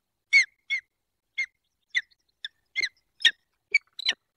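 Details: ['Peregrine falcons at a nest in the Barycz Valley, Poland, on 28 February 2023, during courtship while preparing the nest scrape. Loud, harsh, clipped calls are given singly at uneven intervals of about half a second.']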